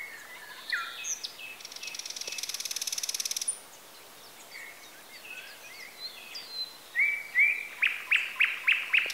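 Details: Outdoor bird sounds from Bessarabia, Ukraine, Zoom H4n recording: scattered chirps, a fast buzzy rattle lasting two seconds, then a bird repeating a short rising whistled note about every half second, getting louder toward the end.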